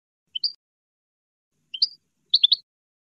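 European goldfinch giving bright, high twittering notes in three quick bursts, the last a rapid liquid double phrase, against a silent background.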